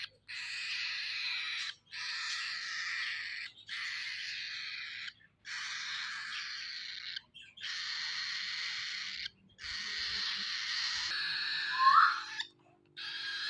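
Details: Cockatiel; begging call; chick begging for food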